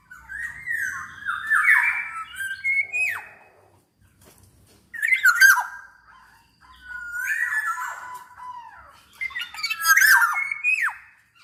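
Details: Black-naped oriole singing vigorously, a track meant to stimulate other orioles: four phrases of rich whistles, harsh squawks and steep downslurs, separated by short pauses.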